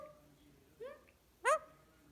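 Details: A pet recessive pied Indian ringneck (rose-ringed parakeet) talks on a relaxing night, asking for cuddles, in two short, clipped word-like syllables, the second louder and sharper, in a quiet room.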